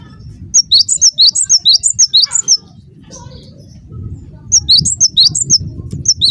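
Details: Cinereous tit lure song aimed at getting other tits to reply: a long string of about fifteen high, sharp alternating whistles, a short pause with faint chatter, then another fast series of ringing notes.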